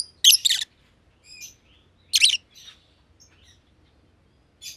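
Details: Lovebirds in an aviary, a green personata and a green pied personata, giving a few loud rasping chirps with softer faint notes between, over a low background hum.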